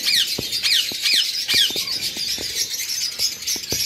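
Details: Eastern rosella family: a parent pair and two fledglings, the younger just out of the nest. Four sharp descending squeaks come about twice a second, followed by softer high chirping and light knocking sounds.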